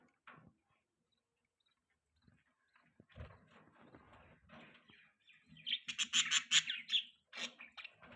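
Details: Budgerigars chirping: scattered soft chatter, then a burst of loud, rapid, harsh chirps and warbles near the end, with quiet gaps between calls.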